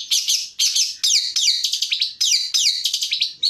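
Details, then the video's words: Training recording of a long-tailed shrike in 'tembakan' style: high, harsh chattering phrases of quick descending notes, repeated in bursts about every half second. "MASTERAN TEMBAKAN CENDET AUTO NGACOR"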